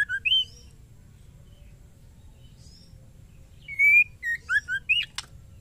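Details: Female white-rumped shama calling to a male: a few whistled notes, a quiet pause, then a full ketrekan phrase of a long rising whistle, short notes and two low slurs, ending in a click.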